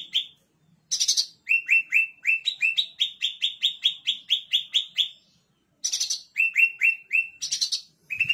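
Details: Caged blue-winged leafbird in lively full song, used to prompt other leafbirds to sing: rapid runs of repeated downslurred whistled notes mixed with harsh buzzy high bursts, in long phrases with brief pauses.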